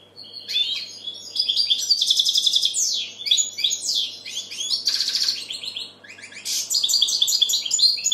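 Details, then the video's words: Song of a European goldfinch: lively, jangling chatter of rapid chirps, rising and falling slurred notes and short buzzy trills, nearly continuous with a brief dip near six seconds. "Goldfinch bird singing the best sounds (chirping)Щегол поет / Τραγούδι καρδερίναςGoldfinch sjunger"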